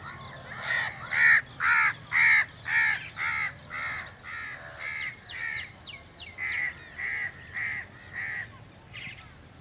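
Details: {'text': 'Crow calling: a rapid run of about fourteen harsh, nasal caws, evenly spaced roughly twice a second, loudest in the first half and easing slightly toward the end.'}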